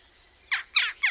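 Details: Jackdaw calling three times in quick succession, each a sharp, hoarse, downward-sliding note.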